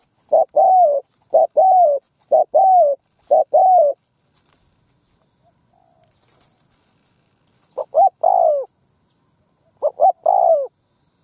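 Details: Decoy spotted dove calling loudly across a field in Vietnam to attract wild birds: repeated three-note phrases, two clipped coos and a drawn-out descending coo, in bursts with pauses; faint distant chirps.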